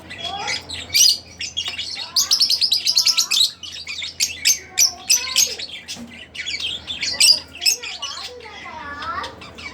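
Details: Fischer's lovebird of split blue colouring, caged pet, chattering: quick high chirps and squeaks in a busy stream, with some fainter lower whistled slides beneath.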